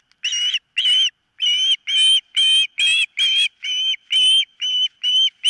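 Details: Osprey at the nest on a live nest camera, giving a series of loud, high whistled chirps, about a dozen clipped notes in five seconds, each with a slightly rising, ringing tone.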